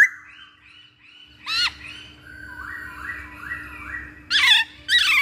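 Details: Masked laughingthrush lure recording: loud harsh squawks with sharply falling harmonic notes break into a run of smooth, wavering whistled phrases, with a steady low electrical hum underneath.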